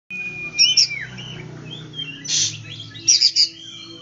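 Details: White-rumped shama song used to stimulate silent or reluctant shamas to sing: scattered whistled and slurred notes with bursts of harsh chatter, over a low steady hum.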